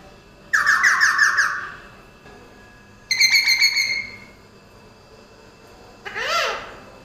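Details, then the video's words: A talking pet parrot makes two harsh, grating, rapidly pulsed squawks about two and a half seconds apart, each lasting around a second, then a short rising-falling voiced sound like a spoken word. "ये तोता सब कुछ बोलता है || Parrot Talking Everything Day"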